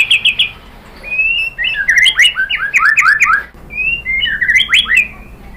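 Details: White-rumped shama song meant to stir another bird to answer: quick rippling notes, a short whistle, then dense tumbling downslurred phrases in two bursts, over a faint low hum.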